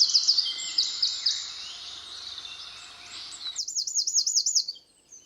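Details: Danish woodland birdsong near Moesgaard Museum in Beder, Aarhus. A loud, high, sharp note is repeated quickly, then a fainter stretch with distant chirps, and then a fast ringing zigzag trill before the sound cuts off.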